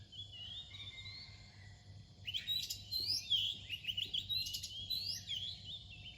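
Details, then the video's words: Oriental magpie-robin near dawn gives a soft, thin whistled line, then bursts into a loud, rich medley of twisting whistles and sharp high notes with brief breaks. A gentle low hum sounds throughout. "เสียงนกกางเขนบ้าน ตอนใกล้รุ่ง"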